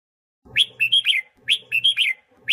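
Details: Two quick phrases from a red-whiskered bulbul singing to train its voice and provoke other bulbuls, each made of sweet, slurred whistles that rise and then drop, over a low hum.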